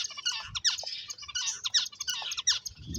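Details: Playing finches chirp in a quick, busy stream of high, scratchy notes grouped in short bursts, with a low thump near the end.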